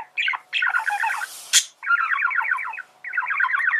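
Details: A male budgerigar sings dense, rhythmic chatter of rapidly repeated squeaky notes in phrases about a second long, with one harsh hissing squawk in the middle.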